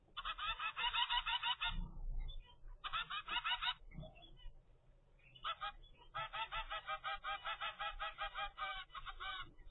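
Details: A 25-day-old zebra finch chick in a home aviary gives long runs of fast, insistent nasal notes, several per second, in three bursts separated by short pauses.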